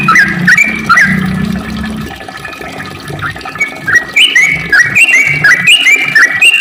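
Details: Sooty-headed bulbul in long ropel song: lively whistled phrases at the start, a softer pause with low rumbling, then a renewed burst of quick rising and falling whistles.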